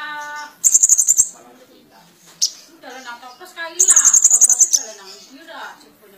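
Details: Two bursts of fast, sharp, high-pitched trilled notes from a Van Hasselt's sunbird singing actively with mimicry, interspersed with softer lower chatter and a short click.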